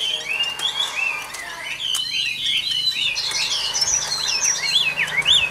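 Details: An old wild-caught caged Chinese hwamei with a fine voice delivers continuous clear whistled song: looping, slurred phrases that rise and fall, getting higher and more ornate toward the end.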